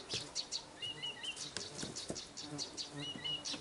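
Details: A nightingale sings at a country dacha in the Irkutsk region in quick bursts: sharp clicks and ticks mixed with short, clear whistled notes, pairs repeating about every two seconds, over a busy, crackling background.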